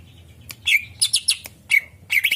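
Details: Greater green leafbird song used as a bird lure, a few sharp chirped and buzzy notes in short clusters with brief quiet gaps.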